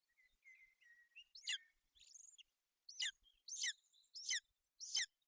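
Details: On a golden eagle nest in Bucovina, a female shelters her chick from wet weather, 28 May 2021; soft wavering whistles are followed by five loud, high, falling chirps in quick succession.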